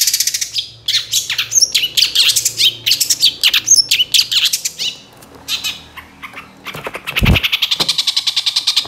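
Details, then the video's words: Lure song of a Long-tailed shrike meant to provoke silent shrikes into song: a long, busy stream of rasping, squeaky and whistled notes, a brief lull and a thump, then rapid even chattering. "PANCINGAN CENDET SUSAH BUNYI LANGSUNG NYAUT DAN IKUT GACOR DENGAR SUARA CENDET INI"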